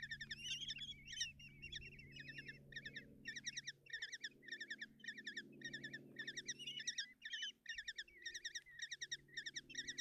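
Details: Hungarian nest box, Tiszalök, June 30, 2024: common kestrel chicks call while the female feeds them in the morning, giving quick pulsed trilled bursts close to twice a second, a few longer wavering notes early, low hum beneath.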